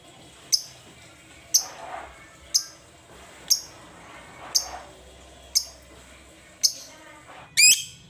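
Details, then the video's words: Pet lovebird in a cage giving short, sharp, high chirps spaced about a second apart, ending in a brief harsh squeal. "Love bird yang jarang bunyi agar Gacor"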